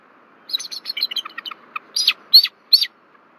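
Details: A bald eagle at its nest tree in Rome, Georgia, warns as an intruder flies over, February 1, 2024; rapid, slightly descending chatter of a dozen high notes followed by three louder, harsher screeches.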